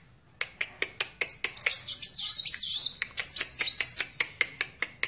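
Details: Sunbird, the kolibri wulung or kaca, mixing steady sharp ticks with two bursts of high, rapid, scratchy twittering song.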